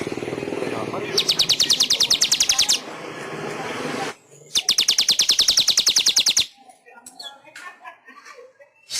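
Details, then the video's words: Pet-bird training master of weaver song: two rapid mechanical rattles, each about one and a half seconds of evenly spaced clicking notes, separated by a pause, with soft scattered chirps at the end. "Masteran Suara Burung Manyar 1"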